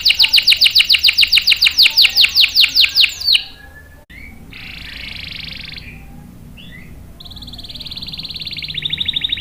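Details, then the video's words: Canary in full song, played to coax and train young males: a run of loud, sharp descending notes repeated about twice a second, a pause, a short buzzy burst, then a fast high trill. "SUARA KENARI GACOR ampuh buat pancingan dan masteran kenari paud dan macet | CANARY SINGING"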